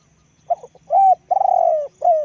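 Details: Spotted dove kept as a decoy bird, noted for its big voice, gives one phrase: two soft stuttering notes, a flat coo, a long slurred coo falling at the end, then a shorter closing coo. The background is quiet.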